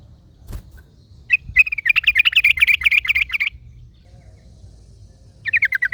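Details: Wild yellow-vented bulbul in the forest, answered by another bulbul: a fast run of bright, chattering notes repeated rapidly for about two seconds, a short pause, then a second quick burst, with low background rumble.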